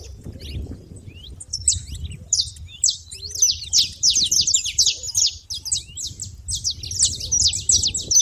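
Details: At a feeder, saffron finches chatter in quick bursts of high, thin chirps and downward-slurred notes, sparse at first then thickening into a busy, overlapping chorus over a soft low background hum.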